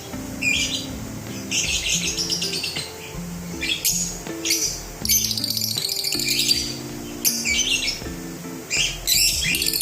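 Lovebirds chatter in rapid, high, scratchy chirps and squeaky trills in quick bursts, with soft sustained music notes running underneath.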